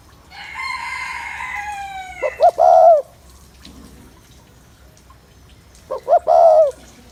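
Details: Spotted dove coo meant to stir up males, two phrases of two short notes and a longer falling coo; a loud harsh rooster-like crow comes first, then a faint low rumble between phrases.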